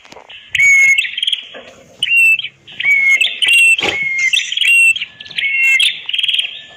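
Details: Master recording of a red-headed prinia for teaching silent cage birds: high, sharp phrases of quick chips and short whistles, repeated in bursts of about one second with brief pauses.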